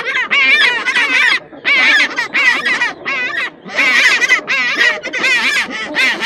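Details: Penguin giving a loud series of harsh, nasal, honking brays. The bursts are irregular, roughly a quarter to a half second each, with brief pauses. Fainter calls sit in the background.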